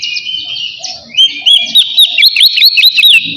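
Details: Oriental magpie-robin singing ngeplong to provoke a rival, used as a lure to make birds sing: a sustained whistled note, then rapid repeated hooked whistles, about five per second, loud and clear.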